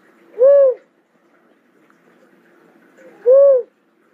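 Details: Cuckoo-dove giving two low, hollow coos, each a short arched note that swells and fades, spaced about three seconds apart in a quiet setting.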